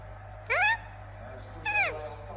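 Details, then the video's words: Indian ringneck parakeet, a pet talking parrot, giving two short, rich, harmonic calls about a second apart: the first sweeps upward, the second slides downward. A steady low hum runs underneath throughout. "Relaxing Parrot Making Sound"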